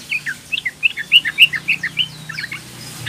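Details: Young female sooty-headed bulbul calling for males: clear, rapid, liquid chirping notes, about a dozen in under three seconds, some louder and rising, over a low hum.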